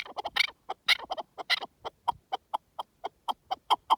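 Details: Partridge calling in the wild: a steady run of short, clucking chuck notes, about four to five a second, some louder and harsher, with no other sounds.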